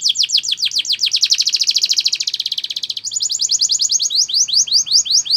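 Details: Spanish Timbrado canary training song, a fast ringing trill of high downslurred notes that speeds into a dense rolling run, then shifts to a slightly higher, slower series of clipped notes.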